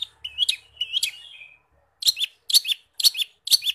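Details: Energetic long-tailed shrike song full of imitated forest-bird phrases, meant for training caged birds: twittering, falling notes, a pause, then four paired high chirps spaced about half a second apart.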